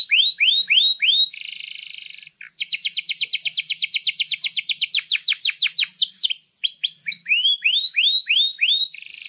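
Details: Canary singing hard, song offered for tutoring young canaries and silent birds: clear upswept whistles, a harsh buzzy burst, a brief pause, then a long run of rapid sweeping notes ending in more rising whistles.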